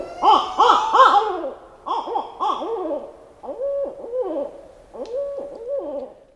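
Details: Barred owls, two or more birds, trading rich, arching hoots with wavering, cackling inflections in a lively, overlapping back-and-forth bout, the kind of eerie calling heard especially at night.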